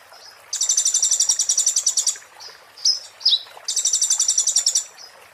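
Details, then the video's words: Konin white-eye 'muntah beling' song as tutor for magpie-robins: a long dense buzzy trill, a few sharp slurred chips, then another fast pulsed trill. "master konin muntah beling"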